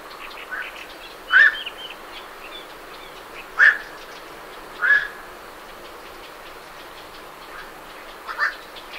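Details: Night herons leaving roost, recorded medium-close: four hoarse, abrupt croaks at uneven intervals of one to three seconds, with faint chattering great reed warblers in the background.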